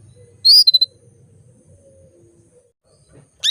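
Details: Female canary calling to bring males into breeding condition: a high level whistle with three rapid short notes, a quiet pause, then the start of a rising chirp.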